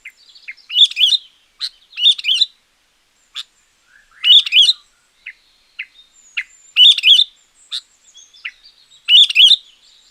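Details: Loud champion sooty-headed bulbul song for luring wild bulbuls or tutoring lazy singers: short bubbling phrases repeated about every two to three seconds, mixed with sharp single chirps.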